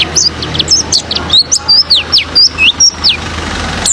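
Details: Pleci (oriental white-eye) song for provoking other birds into song: short run of clear, high, slurred chirps, each sweeping downward, repeated roughly two to three per second, over low background rumble.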